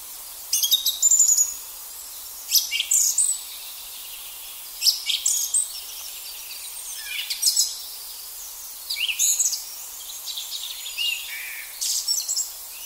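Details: Song thrush singing in a forest in April, loud varied phrases of whistles and sharp chirps about every two seconds with pauses; European robin and common chaffinch heard in the background, with faint hiss throughout.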